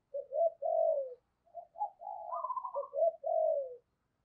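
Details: Spotted dove used as a lure bird, cooing to bring in wild doves: a steady run of mellow, throaty coos, some rising into a brief quavering higher note, then falling back down.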